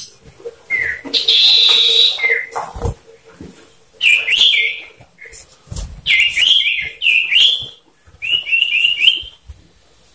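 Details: Two male common ioras in a one-on-one loud singing duel, used as a lure to make other ioras sing; bright, high whistled phrases, some sliding down, others in quick repeated notes, broken by short pauses and a few noisy bursts.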